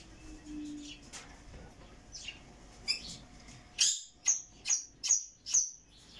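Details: Rainbow lorikeet, also called red malcund lorikeet, giving a run of sharp, high screeching notes about every half second in the second half, after softer scattered chirps.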